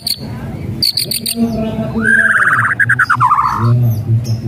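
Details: White-rumped shama whistles and rattles to make a quiet bird sing: brief high notes, then a rapid rattling trill that dips in pitch and ends abruptly, with low hum beneath.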